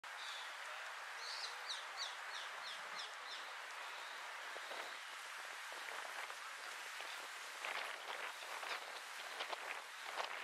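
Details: A common sandpiper calling on Gran Canaria, Canary Islands, Spain, in November 2022: a quick run of thin, high piping notes early on, then fainter calls, all against a steady rush of water or wind.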